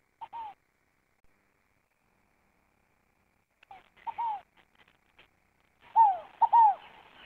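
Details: Scaled dove giving scattered, quieter downslurred coos separated by silences, ending with one loud complete three-note phrase of a falling coo followed by a short note and a longer falling note.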